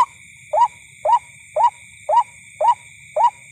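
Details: Night-time white-breasted waterhen by a corn field, heard on a bird hunt: short, upward-bending 'kwak' notes repeated evenly every half second, over a low rumble and a constant thin insect hum.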